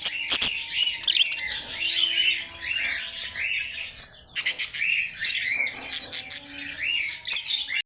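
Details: Budgerigars (bajri, Australian parrots) kept for sale in Lahore; several birds chirping and squawking in overlapping bursts, with a brief quieter gap midway before the chatter resumes.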